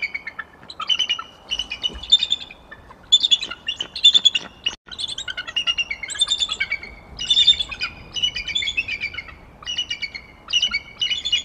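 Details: A wild pair of bald eagles, male and female, call together on January 9, 2023, before the male attempts copulation, which fails. Bursts of high, chattering, piping notes are repeated in quick runs of about a second each, with short gaps between them.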